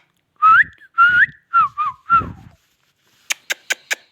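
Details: Indian ringneck parakeet talking: five clear whistled phrases, each sliding upward with a rising flourish, spaced about half a second apart, followed after a pause by four sharp clicking taps.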